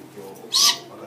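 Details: A baby Verreaux's (milky) eagle-owl at an owl café in Japan gives a single short, raspy, hissing call lasting about a quarter second, with faint indoor background sounds.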